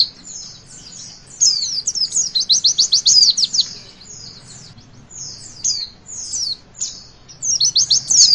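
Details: Javan white-eye song played to stimulate young birds to sing: high, thin chirping phrases with rapid trills of quick descending notes, broken by short pauses, over a faint low hum.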